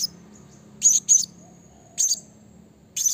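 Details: Blue-crowned hanging parrot calling to provoke rivals: brief, very high, sharp squeaky notes, a close double at first, then single bursts about a second apart, over quiet background.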